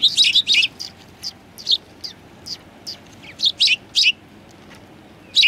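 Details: Sparrows visiting a Tenmangu shrine to be fed, February 2020; a quick burst of high chirps, then spaced single chirps roughly every half second, ending with another chirp.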